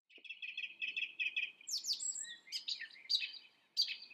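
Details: Song thrush singing: a phrase repeated about six times in quick succession, then varied high whistles and sharp notes, with one more phrase starting at the end.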